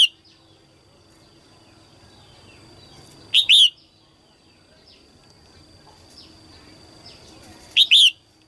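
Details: Female red-whiskered bulbul singing early in the 2022 season to excite males; two loud paired whistled phrases about four seconds apart, soft chirps of other birds behind.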